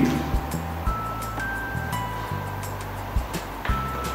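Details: Background music with steady held tones and soft beats over a low hum, without any animal sound.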